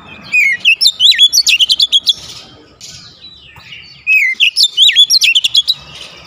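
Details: Home-kept Oriental magpie-robin singing energetically, with two dense phrases of sweet whistles, sharp chips and upward-sweeping slurs, each about one and a half seconds long, split by a short pause.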